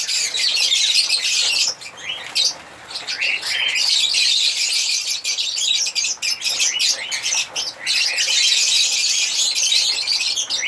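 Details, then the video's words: Chattering African lovebirds give shrill, overlapping chirps in a steady stream, briefly easing off a few times before building back up. "African Lovebirds singing and chirping sound"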